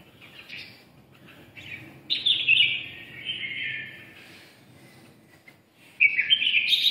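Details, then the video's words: A red-eyelid red-whiskered bulbul delivers "siêu ché" song, mellow slurred whistles and a sustained rippling warble, with brief gaps between phrases and faint low hum behind. "mí đỏ siêu ché"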